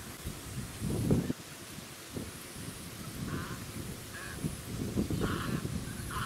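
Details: Pacific black duck at a small artificial lake on the Sunshine Coast, Queensland, in December 2017, giving short nasal calls in a loose series over steady wind rumble and suburban background noise.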